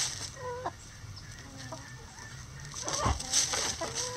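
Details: Backyard chickens doing their daily chicken things, with soft, spaced harmonic clucks and a short run of louder notes toward the end, over a constant low hum and faint high chirping.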